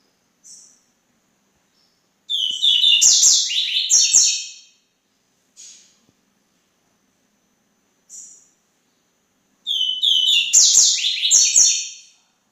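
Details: Double-collared seedeater singing: two loud, fast, high chattering bursts of about two and a half seconds each, made of rapid twittering and buzzy notes, separated by a few short, soft single chips in an otherwise quiet indoor setting.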